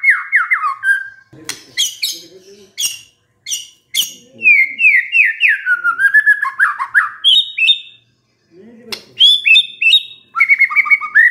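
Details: White-rumped shama lure song used to trigger singing in a stressed shama: fast runs of descending whistled notes mixed with dry clicks and harsh chatter, a falling sequence of slurred whistles, a short silence, then more bright trills.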